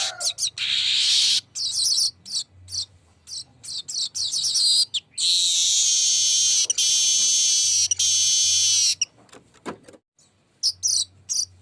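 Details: Weaver bird delivering a long rolling song: bursts of high, harmonic chattering notes, then a sustained buzzing trill lasting about three seconds, with short clicks and brief gaps between phrases.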